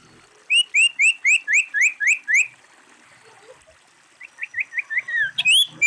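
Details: Female common iora (sirtu, cipoh) giving a quick series of eight short, upward-slurred whistled notes. A softer run of similar notes follows, and the clip ends on a brief louder note.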